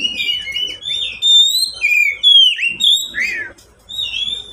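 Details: Song of a caged oriental magpie-robin, played to coax quiet pet birds into singing: loud, clear whistled phrases that swoop up and down, some slurred and wavering, with a faint low rumble in the background.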